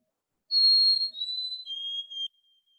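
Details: Crystallized adult song of a white-throated sparrow: clear pure whistles, a long high note then two steps down to lower sustained tones, all within under two seconds.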